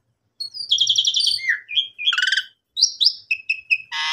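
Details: Caged Asian pied starling used as a lure to bring back full song after the owner's holiday trip; a varied phrase of buzzy harsh notes, slurred whistles and short repeated whistled notes, ending in a loud rasping burst, in clean quiet surroundings.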